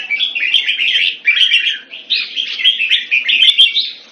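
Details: Red-whiskered bulbul (jambul), a hobby bird, singing a dense, fast run of chattering, warbled phrases that sit high and run almost without pause, with a faint steady hum underneath.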